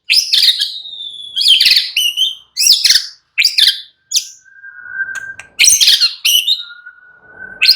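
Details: Murai batu, or white-rumped shama, in vigorous full-voiced nyrecet singing: a run of sharp, harsh, high-pitched bursts about every half second to second, with thin, lower whistles between them.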